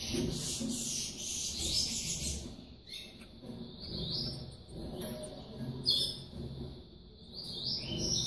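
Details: A captive yellow-bellied seedeater (Sporophila nigricollis) chick, being fed by its mother, begs with thin, high chirps, some bursts sliding upward, over a low rumble; Yellow-bellied Seedeater.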